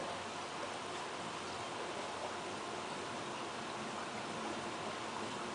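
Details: Even rushing noise, like running water or static, fills the recording with no animal voice.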